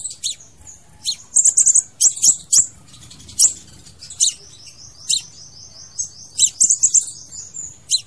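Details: Crimson sunbird singing, a recording meant for luring or trapping birds: high-pitched sharp chips and quick trills, plus a long thin wavering whistled phrase in the middle, repeated at irregular intervals.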